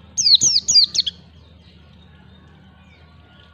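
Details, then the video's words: Ngalas-style song of a white-eye (pleci), played to teach young birds; a quick burst of about five sharp, high, downward-slurred whistles within a second, followed by near silence. "pancingan pleci belajar ngalas 1 2 3 ketukan"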